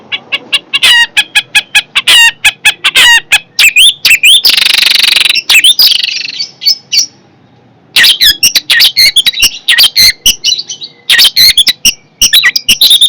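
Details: Fierce long-tailed shrike pours out a rapid, dense run of sharp chirps, harsh rasping bursts and whistled slurs, briefly broken by a long scratchy buzz and short pauses.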